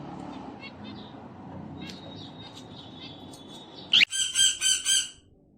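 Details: A pet cockatiel, said to be singing, dancing and playing, is quiet at first with faint background noise, then breaks into a sharp screech followed by a quick run of four raspy chattering notes.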